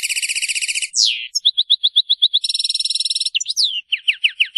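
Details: European goldfinch singing a Maliki-style song, described as free of mistakes: rapid buzzy trills alternate with a sharp downslurred note, a string of quick even chips, another dense buzzy trill and falling slurred notes, with no other sounds.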